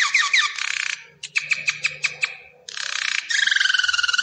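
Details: Belgian canary song, quieter and broken up: falling swept notes, a row of separate chip-like pulses, a pause, then dense buzzy trills with two descending whistled lines, over faint low hum.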